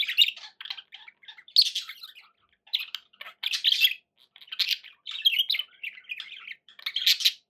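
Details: Pet budgerigars indoors giving bursts of chirpy, buzzy warbling chatter with short squawks, mostly high-pitched, in uneven phrases separated by brief pauses.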